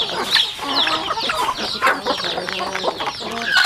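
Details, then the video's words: Chickens eating at a rural home farm, giving busy high cheeps over scattered short clucks and clicking pecks, with several birds overlapping. "Yummy sounds chicken eating"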